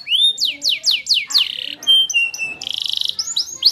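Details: Canary singing: a series of rising whistled sweeps, then steady pure tones at varied pitches and a fast buzzy rattle, in a clean recording with no other sounds.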